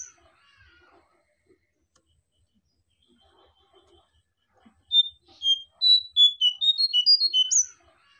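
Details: Sunda bush warbler, locally jongkangan or cingcoang coklat, singing a lively lure and tutor song used for trapping: after near silence, a rapid run of high, thin whistled notes jumping up and down for about three seconds.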